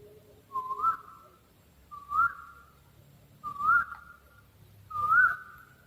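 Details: Owl giving four clean whistled notes that rise, then sustain briefly, evenly spaced about every one and a half seconds against near silence.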